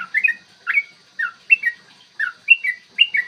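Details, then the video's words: Long 'ropel' song of a yellow-vented bulbul, used to provoke other bulbuls into singing and fighting, recorded clear in the morning. Short gurgling, slurred whistle phrases come in bursts roughly every half second, with gaps between groups. "trucukan gacor TARUNG ROPEL PANJANG pancingan trucukan agar BUNYI dan EMOSI"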